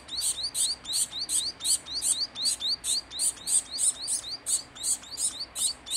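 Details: Hand-fed fawn society finch chick begging: a fast, even run of high buzzy chirps, close to four per second, each with a rising lower tone, continuing without pause.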